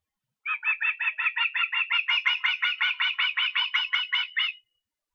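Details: Osprey in Estonia, recorded 23 August, giving a long string of about twenty clear, piercing whistled notes in quick succession, each slightly down-slurred, lasting about four seconds against silence.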